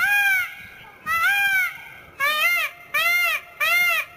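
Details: Indian peacock during its dance display, giving a run of five loud, nasal, arched honking notes, each about half a second long and spaced roughly every two-thirds of a second.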